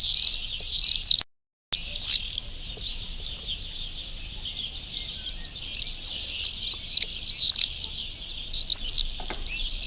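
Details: Swifts, birds that nest in churches, heard during a live May 1, 2020 afternoon broadcast from the Urdaibai marshes in summer; a dense chorus of shrill, arched screams overlaps continuously, with one brief dropout to silence near the start.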